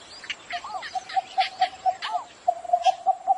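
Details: Cinnamon bittern calling in the morning, an even series of low, short clucks mixed with arched, slurred notes and busy high chirping from other birds, over a thin constant whine.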